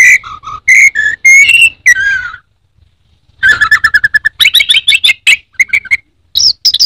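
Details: Caged orange-headed thrush, kept as a songbird in Indonesia, singing a varied run of loud whistled phrases and chirps, some rising and falling, broken by a short pause before a fast burst of repeated notes.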